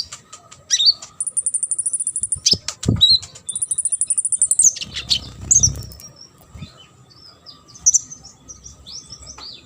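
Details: Sunbird song meant for tutoring contest birds: two long very high buzzy trills joined by sharp chips and squeaky notes, then sparse thin calls.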